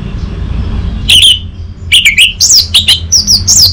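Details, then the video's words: Orange-headed thrush (Geokichla citrina) song used as a lure to rouse males: quick bursts of sharp, high, slurred whistles, rising and falling, in short phrases about every half second, over a low hum. "Power Pembangkit BIrahi ANIS MERAH"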